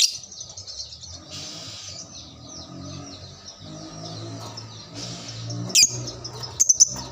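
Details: Lovebird responding to another lovebird, giving a long, continuous, high buzzy ngekek trill that runs through most of the stretch, ending in two or three abrupt shrill squeaks, over a low background rumble.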